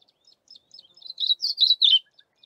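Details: Yellow-bellied eremomela singing while foraging for insects in a bush: a rapid high twittering phrase of short chirps that builds in loudness, then a brief louder run of warbled notes before trailing off.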